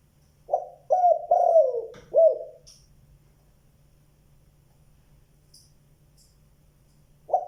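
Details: Spotted dove giving a 'giọng đồng' (bronze-voiced) call in the 'tiếng 2 hậu lỡ' style: four deep mellow coos, the third drawn out and sliding down, then a long quiet pause before another coo begins.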